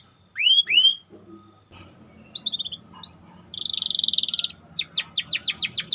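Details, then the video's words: White canary song meant for teaching other canaries: two loud rising-falling whistles, soft chirps, a buzzy roll, and a closing run of quick downslurs. "Burung Kenari Ngerol Rapat 🔻 Cocok Untuk Masteran"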